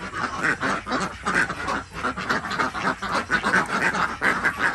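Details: Desi ducks at a village farm in Andhra Pradesh, India, as morning eggs are gathered; dense run of short, hoarse quacks from many birds, pulsing several times a second.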